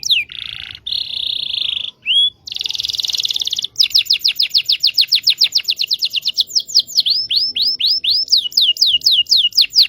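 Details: Local Indonesian canary singing as a lure for silent canaries and young learners: a brief whistle, a steady buzzy trill, a dense rattle, then a long series of clear, rapidly repeated rising-falling notes, about eight per second.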